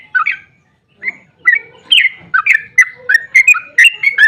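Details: Sooty-headed bulbul, locally trucukan, in excited rolling song used as a lure for other bulbuls: a couple of scattered chirps, a short gap, then a dense run of warbling liquid whistles.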